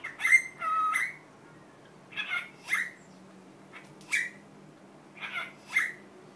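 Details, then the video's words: Cockatiel kept as a pet, mimicking Korean hello ('annyeong' and 'annyeonghaseyo'): a loud raspy phrase, then several shorter squawky syllables in pairs spaced about a second apart, with a quiet room hum beneath. "왕관앵무 안녕이란 말을 배우다 My cocatiel Dooly learned 'Hello' in Korean. 'Annyunghaseo' and 'Annyung'"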